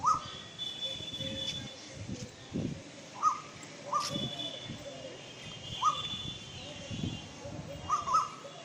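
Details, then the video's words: Female Asian koel gives short sharp 'kik' notes, single or in quick pairs, every second or two, over a low distant rumble. "Sound of Female Koel indian cuckoo Sound"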